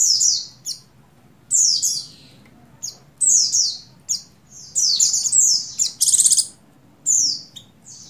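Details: Female Oriental white-eye of the buxtoni form in breeding condition, calling to the male: sharp, high chirps and short downslurred tweets come in scattered bursts, sometimes doubled, with brief gaps between them, and a faint low hum underneath.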